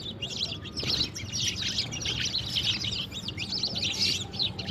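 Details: Flock of sparrows playing with water in the morning, giving a constant chatter of sharp, high chirps that overlap throughout, with a low background hum.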